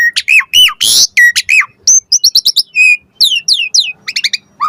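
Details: Asian pied starling song meant to make starlings answer: arched whistles, a raspy squawk, then rapid clipped chirps at about three per second mixed with falling slurred notes.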